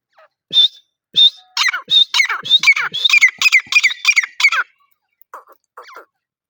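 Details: Grey francolin (teetar) opening with spaced whistled notes that speed into a loud, continuous string of harsh rising calls for about three seconds, then a few faint notes before falling silent.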